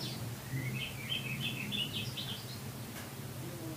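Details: Oriental magpie-robin song played to train caged birds: a quick string of bright, varied whistled phrases jumping up and down in pitch, with a low hum underneath.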